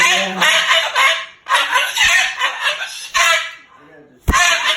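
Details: Moluccan cockatoo cursing loudly, upset that its owner stayed overnight. It gives gravelly, voice-like outbursts in uneven phrases, with a brief lull before a final shout.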